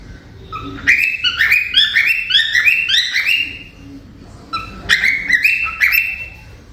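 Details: A grey male cockatiel, with a group of cockatiels around, chirps in quick bursts of bright, rising notes, pausing briefly between phrases.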